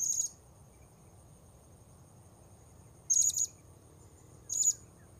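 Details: High, piercing tsee notes of a blue-crowned hanging parrot during bird luring at a new spot: one note, a long pause, then a doubled note and a single one, with a faint low hum beneath.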